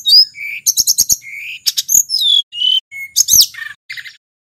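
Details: Local mountain sulingan of Merapi, recorded to lure tledekan flycatchers and prompt quiet caged birds: thin high whistles and slurred notes mixed with fast stuttering chirp bursts, then a few lower buzzy phrases.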